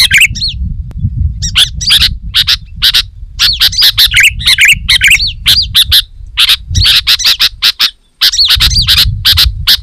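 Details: Sooty-headed bulbul in vigorous, dense, loud song, used to lure wild bulbuls in the forest and tutor home birds: rapid bursts of bright chirps and bubbly up-and-down whistled notes, nearly continuous, over a low rumbling background noise.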